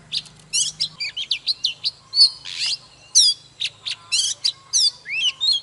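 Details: Old wild-caught Oriental magpie-robin giving a fired-up dawn song to excite other magpie-robins. Lively bursts of sharp chips, sliding whistles and upswept notes, about one phrase a second, with a brief low hum at the start.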